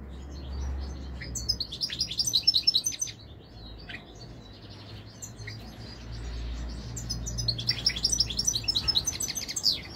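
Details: A European goldfinch gives a liquid, fast twitter of bright high notes, then falls quiet for a few seconds before another chattering burst begins. A low background rumble runs underneath.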